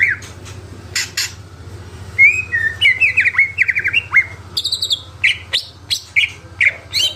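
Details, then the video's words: Greater green leafbird in lively full isian song, delivering quick rising and falling whistled notes in short bursts. Sharp high chirps are scattered between the phrases, and a faint low hum runs throughout. "CUCAK IJO GACOR FULL ISIAN"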